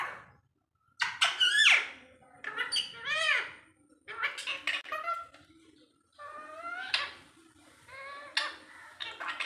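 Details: A hill parakeet (Alexandrine) talks in shrill, nasal, word-like bursts, several short phrases with brief pauses between them, in a quiet room.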